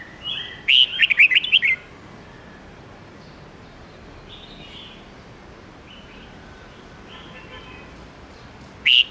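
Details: Red-whiskered bulbul morning song in the 10–13-note wild old-bird style, used to stimulate young birds and train them to learn wild voices: one short, bright warbled phrase early on, then faint distant notes over quiet background hiss and a final brief note.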